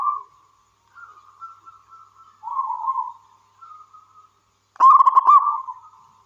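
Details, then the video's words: Soft, drawn-out whistled notes wander for several seconds before a local wild zebra dove bursts into one loud, quick trilled coo phrase near the end. "Suara Burung Perkutut Lokal Gacor"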